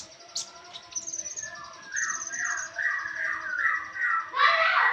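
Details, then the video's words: Konin in a birdsong training recording: a warbling run of mid-pitched slurred whistles in quick series, ending in a louder, fuller burst, with a faint high hum throughout. "Konin mewah masteran wajib kicau mania"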